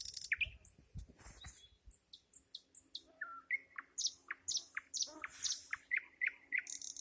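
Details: Busy nightingale song with a faint low hum: crisp sharp notes and high rasping bursts in an irregular, rapid stream of varied phrases.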